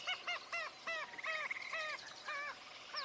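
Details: Common Gallinule calling during a June marsh tour, a series of about eight nasal, honking clucks, each slightly arched, slowing toward the end; a faint thin twitter runs behind.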